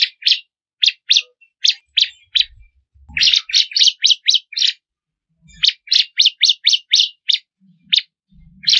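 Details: Bar-winged prinia of the crystal ciblek type, recorded as tutor song for cage birds: evenly spaced single chirps, then quick runs of chirpy notes repeated in a lively series, with faint low knocks.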